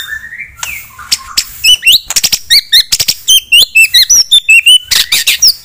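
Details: A white-rumped shama sings to stir a rival bird's aggression: a low slurred opening, then a steady series of crisp, hooked high chirps repeated about three per second, with a few harsh bursts.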